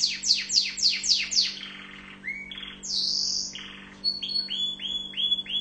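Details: Tunisian orange canary, known locally as mfa7el, singing: quick falling whistled sweeps, then lower buzzy tours, a harsh high burst, and rising repeated chirp notes, varied and loud over a faint low hum.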